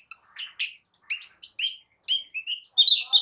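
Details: Long-tailed shrike song meant to stir other birds to sing, a dense burst of varied high chattering notes and short whistles delivered in quick irregular phrases with brief gaps.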